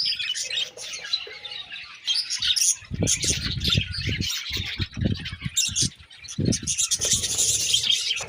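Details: A group of budgies keeps up busy, squeaky chirping and warbling, broken by a series of dull low knocks and rustles.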